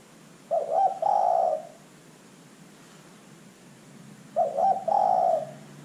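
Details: Spotted dove calling steadily as a lure to get other birds to sound off: two identical phrases, each a stuttering opening pair of hoots and a lengthened rolling coo, spaced about four seconds apart over quiet hiss.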